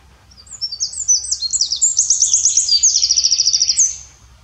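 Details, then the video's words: A Eurasian wren sings in the Eifel, Germany: a loud, very high-pitched burst of sharp notes that runs into a fast, rattling trill. It lasts about four seconds, with only a faint low rumble behind it. "Eurasian Wren singing. Zaunkönig singt."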